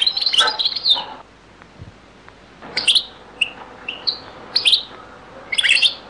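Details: European goldfinch, from a very old Beni Messous 'les avocats' recording: a quick twittered phrase, a quiet gap, then a string of short high chirps and brief buzzy notes roughly every half second.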